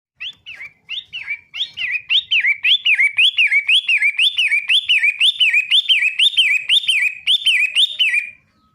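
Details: Long-tailed shrike, the matahari type, singing a fast run of slurred whistled notes, each rising then dropping, about two per second, building in strength and holding steady for some eight seconds before stopping abruptly.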